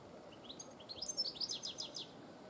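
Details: Goldfinch singing a bright, rapid twitter of high chirps and trills, rising slightly then tumbling into a quick descending series, over steady low background hiss.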